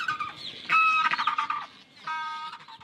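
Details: Erect-crested penguins at a breeding colony on the Bounty Islands, nesting among Salvin's albatrosses, give loud, harsh, braying calls in two bursts of rich, buzzy trumpeting, with a faint rumble of wind behind.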